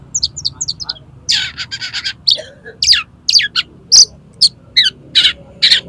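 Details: Oriental magpie-robin in 'konslet' style song, meant to make another magpie-robin spread its tail: quick high chirps, then dense buzzy bursts and sharp varied notes repeated rapidly and irregularly, with a low hum beneath.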